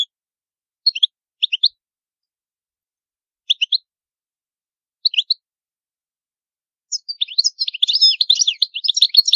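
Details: European goldfinch singing the ancient Palermo Sicilian style, without background noise: isolated pairs of high chirps at intervals of one to two seconds, then a lively continuous twittering warble.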